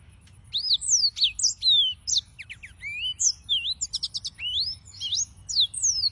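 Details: Yellow-fronted canary singing continuously: varied high whistled slurs, brief rapid trills and rising sweeps, in fast, tumbling phrases with only brief gaps.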